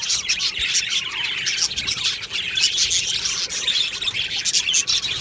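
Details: Many budgerigars in a colony aviary chirping and warbling at once, bright squeaky notes overlapping in a steady, lively chorus.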